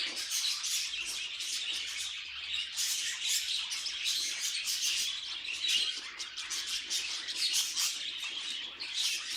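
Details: Several budgerigars twitter at once, producing a constant, thick wash of thin chirps, clicks and scratchy warbled notes with brief louder bursts now and then.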